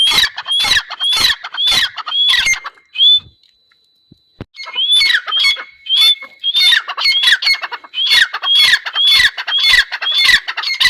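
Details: Grey francolin giving loud grating call phrases with upslurred whistles, repeated quickly. The calls stop for about two seconds, then resume in a longer, insistent run.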